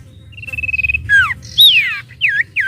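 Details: Sooty-headed bulbul, kept bird, singing to provoke other birds into calling: a fast rattling trill, then loud swooping whistled notes, sliding downward and curling, ending with two short looping phrases; faint low hum beneath.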